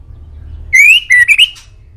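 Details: White-rumped shama singing for a master recording that pet birds should answer: a loud, pure whistled phrase that starts with a long rising note and breaks into quick, slightly rising notes.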